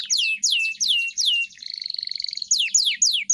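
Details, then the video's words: Training song of a pet canary: loud whistled notes sliding down in quick succession, a fast rattling trill held on one pitch, then further high descending whistles, with no other sounds. "Kenari GACOR‼️ (EPISODE 298) Masteran Burung Kenari _ CANARY SINGING__ الكناري"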